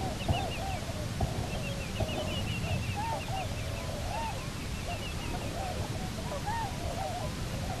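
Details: Cahow, or Bermuda petrel, one of a returned pair at the Nonsuch Island nest, October 2018. Continuous chattering squeals with bright higher notes over deep, steady background roar.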